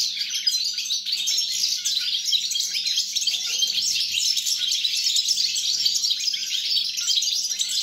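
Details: European goldfinch in sustained song on 29 December 2022, a long rush of bright twittering notes, buzzy trills and quick chirps with no pauses, with a soft background hum.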